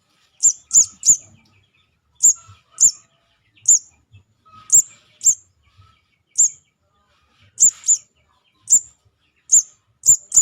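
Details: Young sogon calling, recorded for use as a trapping lure: thin, very high chirps, often in quick pairs or triplets, separated by short silences.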